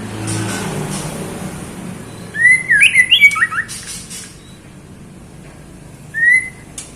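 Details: Calling for the male, a female white-rumped shama gives a rapid cluster of looping whistled notes, then one lone rising whistle after a pause. Faint room noise is underneath.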